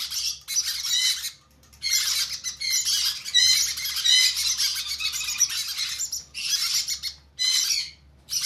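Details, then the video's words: During hand feeding, conure chicks utter grating, hissing squawks in irregular bursts of varying length, separated by short quiet gaps, over a low hum. "Conure chicks hand feeding"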